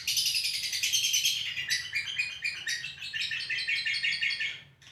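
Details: Lovebird giving a long 'ngekek' trill, recorded live: a rapid, unbroken chattering of high buzzy notes that runs almost five seconds, dipping slightly in pitch midway before resuming, then stopping abruptly.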